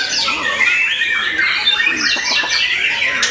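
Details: Singing white-rumped shama following its moult, clear ringing whistles mixed with quick buzzy trills and several short sweeping notes, then a sharp high note near the end.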